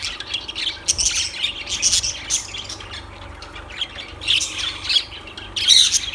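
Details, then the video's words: Lovebirds give scattered shrill squawks and twitters in loud bursts, with quieter chatter between them and a low hum throughout. "Lovebirds Sounds"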